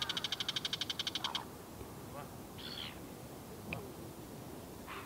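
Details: Bull-headed shrike in South Korea, one of a probable mated pair with the male following the female, giving a fast harsh rattling chatter of about a dozen evenly spaced notes in just over a second, then quieter scattered calls and background hiss.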